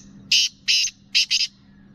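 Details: Female black francolin in Sindh or Punjab calling to excite males: four grating, broadband notes, two evenly spaced then a quick double, with a soft low hum throughout.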